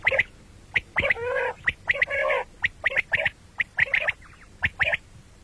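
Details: Calls of the common quail, a bird said to sound at morning and night: short crisp pips repeated in loose clusters alongside two drawn-out grating, broad-toned notes, about once a second, over faint low background rumble.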